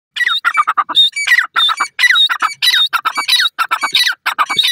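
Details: Partridge (teetar) calling, a dense run of harsh, nasal notes with a whistled edge, overlapping and repeated in quick succession throughout, with several call phrases crowding one another.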